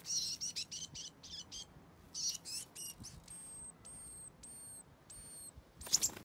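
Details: Japanese wagtails in a territorial fight: a fast burst of sharp, high chips, then thin level whistles about every half second, ending in a harsh scratchy burst.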